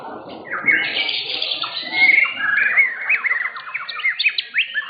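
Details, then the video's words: At an Indonesian bird-singing contest, a blorok white-rumped shama that won first place in session 7 delivers long clear whistles, then a fast run of short descending and rising notes, with other birds and crowd noise faintly behind. "MURAI BATU BLOROK"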